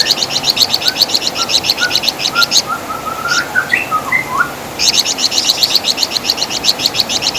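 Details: Flamboyan bird, or Wergan Jawa, sings rapid high chirping series, then a gap of softer lower whistled notes and slurs, then the fast chirp series returns.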